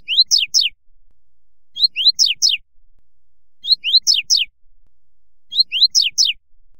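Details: Double-collared seedeater (coleiro, Sporophila caerulescens) singing in the "fibra" song style: a short phrase of three or four quick, high, down-slurred notes, repeated about every two seconds against a quiet background.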